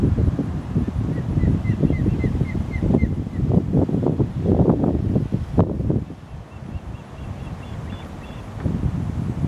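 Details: Osprey at its nest in Savannah, Georgia, giving a quick series of about eight short, high, evenly spaced chirps, then a few fainter chirps later on, over heavy low rumbling wind noise throughout.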